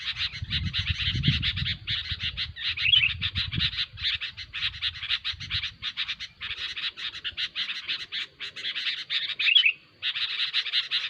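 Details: Sooty-headed bulbul in noisy calling: a continuous fast chatter of harsh notes with short breaks, occasional clear whistled slurs, and low rumbling in the first half.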